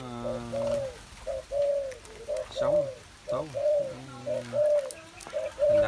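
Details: Spotted dove, kept in captivity, cooing in repeated low hollow phrases of two to three notes, about one per second, with a man speaking over and between the coos and faint background noise.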